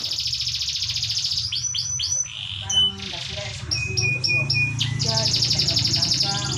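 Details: Canary song played as a lure to draw replies from other canaries: varied, rapid, high phrases of repeated downslurred whistles, a short sweet note and buzzy rolls, over a low background hum.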